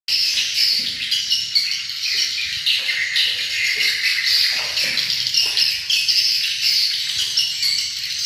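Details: Edited swiftlet sound of the kind played at swiftlet houses. A dense, continuous chorus of high, overlapping chirps and twitters stays steady throughout, with faint low rumbling underneath.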